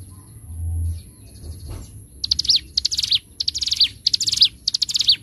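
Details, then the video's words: Bar-winged prinia song from a bird-training master recording, ngebren style: after two quiet seconds with a faint low hum, five rapid bursts of high buzzy chirps, each ending in a sharp downward sweep. "Masteran Burung CIBLEK GUNUNG (CIGUN) Gacor N3mbak, Ngebren - Suara Jernih Durasi Panjang"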